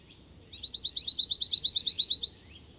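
Cirl bunting song: a flat, dry rattling trill of about sixteen identical high notes, roughly nine per second, lasting under two seconds. Faint background hiss.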